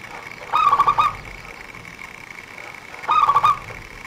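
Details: Local zebra dove song used as a trapping lure, noted for its quick, tightly packed delivery: two brief rolling cooing phrases of rapid staccato notes, about two and a half seconds apart, over a faint steady hum.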